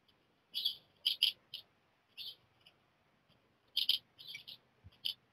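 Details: Black redstart fledglings, chicks 2 to 4 leaving the nest within a short time while a fifth stays another night, give short, high chirping calls in scattered bursts of two or three with quiet gaps.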